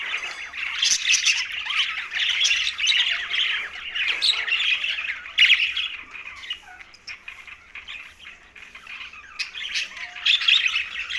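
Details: Several green budgies chatter and squawk while eating, the scratchy warbling coming in louder bursts, easing off midway and then swelling again.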